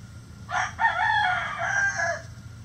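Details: Rooster crow in a quiet yard: a sharp opening syllable, then a long sustained harmonic note that holds steady before sliding down and fading, lasting under two seconds.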